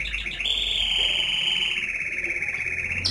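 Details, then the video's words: Canary holding a long, even rolling trill that slides slowly lower in pitch, loud whistled tone throughout. "Beautiful whistling of canary"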